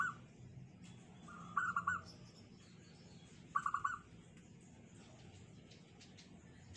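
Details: Zebra dove with a small, tight, unique song: two clear bursts of quick staccato cooing notes about two seconds apart, with brief fragments at the start and end, over steady low hum.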